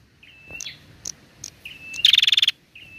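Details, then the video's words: Female prinia calling, aimed at stimulating prinias: several thin whistled notes with short chips, then one loud rapid trill of about ten ticks and a final whistle. "suara prenjak betina gacor"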